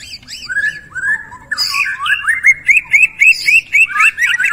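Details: Prolific Borneo White-rumped shama in mimicry-filled song: sliding whistles lead into a rhythmic run of looping, chirped notes, about five per second, with high squeaky accents.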